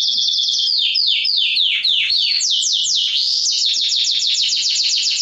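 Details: Mosaic canary singing to encourage mating and teach chicks, a fast series of sweeping downward notes that quicken into a high, even rapid trill.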